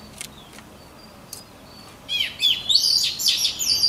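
An Oriental magpie-robin gives a few thin, faint whistles, then breaks into a rich, fast run of sweeping, rising and falling whistled notes, high-pitched and varied.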